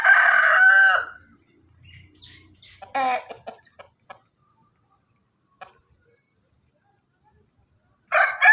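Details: Farm rooster finishing a loud, harmonic crow in the opening second, then a few short clucking notes and a long quiet stretch before a fresh crow starts at the very end.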